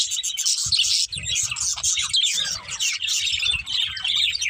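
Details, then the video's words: Several budgerigars chatter together, a steady wash of high warbling chirps and quick squeaks, with faint low thumps in the background. "Cute Budgies Chirping Sounds"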